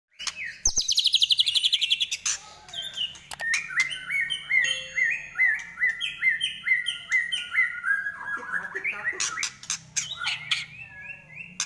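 A white-rumped shama sings a rich, varied song: a fast high trill, then a run of repeated clear whistled notes dropping in steps, with harsh chattering accents between.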